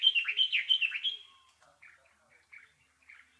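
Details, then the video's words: A bulbul gives a loud, quick run of looping, slurred whistles that rise and fall. It is followed by a few soft, scattered chirps spaced about half a second apart against a still background. "Bulbul Sounds | Sound of Happiness and Peace | Bird chirping"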